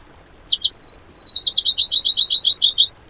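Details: Bird song in the tembakan style, used as training material for cage birds: a loud, high, fast trill that drops slightly partway, then breaks into sharp, clipped notes for about two and a half seconds.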